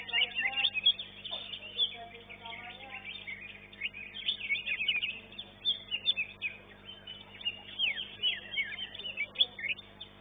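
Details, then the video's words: Greater green leafbird singing at an Indonesian songbird contest, caged, second-place finisher: a long, dense run of high, rapid chirps, twitters and short slurred whistles, varied and continuous, over low crowd noise. "CUCAK IJO"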